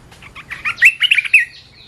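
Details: A training recording of a red-whiskered bulbul delivers a short, fluid warble of slurred whistles rising and falling, ending in a bright upward note.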